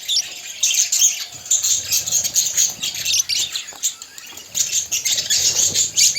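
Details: Budgies kept as pets sing together in a continuous high, chattering warble of scratchy chirps and twitters that rises and falls in loudness in quick bursts.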